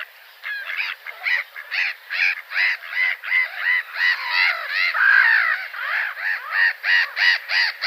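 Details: Gull calling in a fast, steady series of harsh, arched, harmonic notes, about three per second, rising and falling in loudness throughout, with no other clear sounds.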